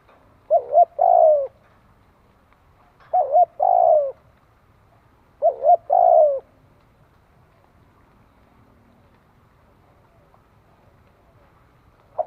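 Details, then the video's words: Cooing of a spotted dove (cu gáy): three soft, hollow phrases spaced about two and a half seconds apart, each a short stuttered pair of notes then a falling coo. Quiet follows for several seconds. "Tiếng chim cu gáy tập bổi"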